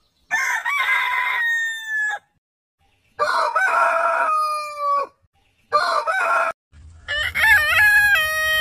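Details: Roosters crowing in succession: three long, harsh crows each near two seconds and falling at the end, then a clearer, ringing crow over a low rumble.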